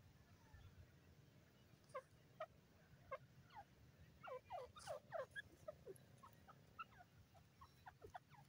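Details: Grey francolin calling: a series of short, sharp, rising notes between roughly 600 and 1,500, spaced irregularly and then bunching into a quicker burst of repeated calls midway, over a low rumbling background.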